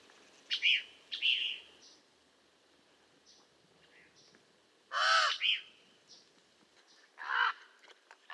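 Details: Common raven calling: two loud, raspy caws a few seconds apart, mixed with several short, high chirps from smaller birds through the recording.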